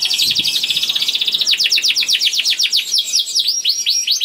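A canary sings a fast, high, rolling trill, then a run of quick downward-swept notes about four per second, loud and unbroken.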